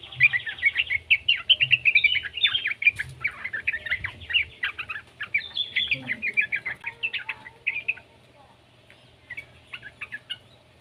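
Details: Yellow-vented bulbul, a young bird whose song serves to coax other bulbuls into singing: long, rapid stream of chattering, warbled notes for about eight seconds, then fading to a few scattered faint chirps.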